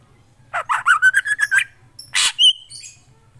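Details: Black drongo singing lively: a quick series of about eight short chattering notes, then a harsh burst and a sharp high whistled note, with a low hum underneath.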